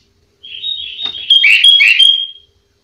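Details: Sooty-headed bulbul song in the full-isian style, used as a master recording for training other bulbuls. It opens with a steady whistled tone, then gives loud, bright, slurred phrases with buzzy rich notes. The setting is quiet.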